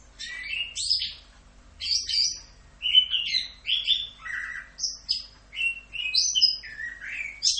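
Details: Orange-headed thrush singing a full "Rock'n Roll" tutor song, with rich varied whistled phrases, downslurred and rising notes, and a lively irregular rhythm of short bursts.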